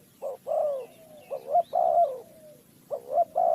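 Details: Spotted dove used in bird trapping, Ninh Thuận, calling in low, mellow coos: short rising notes followed by longer drawn-out hooting coos that trail off, three phrases in quick succession with quiet gaps.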